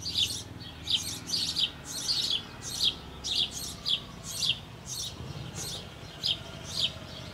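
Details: Nestling sparrows about to fledge from a nest box on an old apple tree in Bavaria, with both parents feeding, utter repeated shrill, scratchy chirps, sometimes paired, at an irregular pace of about two per second, with low rumbling noise beneath.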